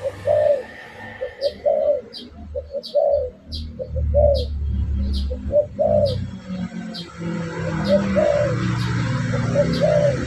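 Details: Spotted dove coos used as a lure for birds: repeated phrases of soft rounded notes with longer drawn coos, accompanied by regular sharp high ticks and low background rumble.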